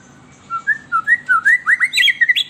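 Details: Melodious song of an agitated White-rumped shama, used to lure captive shamas. A steady series of short whistled notes climbs gradually in pitch and speeds up into a quick, rising, twittering flourish.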